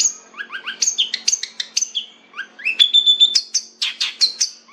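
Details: Long-tailed shrike in varied song: quick paired whistles, a steady held high whistle, then a run of loud, bright notes.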